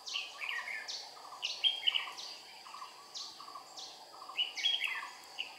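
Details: Red-whiskered bulbul used as a trapping decoy in Vietnam on 22 April 2019: repeated bright chirping phrases, some with sharp whistled notes, over a regular background of low buzzing insect pulses.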